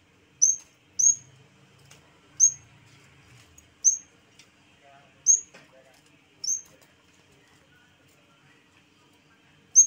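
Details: Yellow-bellied warbler (cikrak bambu), a recording meant as a training tape for other cage birds; thin, high upslurred notes given singly at irregular intervals, seven in all, over a faint low murmur.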